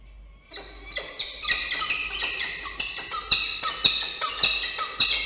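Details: Peregrine falcons at a nest in Orange, New South Wales, 29 August 2024, as the male brings a small snack to the female and a possible intruder appears: harsh, repeated squawking calls, nearly two per second, rising in intensity.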